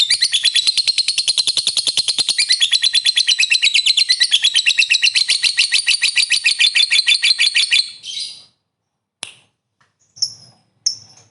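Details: Long ngekek trill of a lovebird, used as therapy to provoke other lovebirds into long trilling: about eight seconds of rapid, high, buzzy repeated notes, then it stops abruptly, followed by a few isolated sharp chirps.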